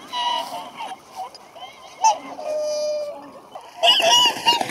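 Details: Whooper swans at Kalmarsundsparken, Kalmar, Sweden, give loud, bugling honks, overlapping in a noisy group chorus.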